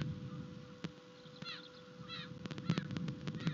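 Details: Ospreys at a Rutland nest on 21 March 2021, mating, picked up by a live nest camera; a few faint, thin, descending whistled chirps come between knocks and clicks over low rumbling background noise.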